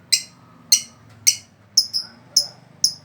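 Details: Lovebird calls: a series of short, piercing, high chirps spaced roughly every half second, with a soft low hum underneath.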